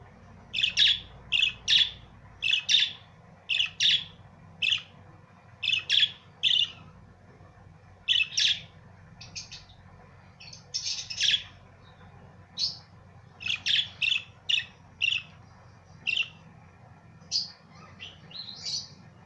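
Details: Several budgerigars chirp in quick, scratchy bursts, one busy burst after another, while fighting and playing together.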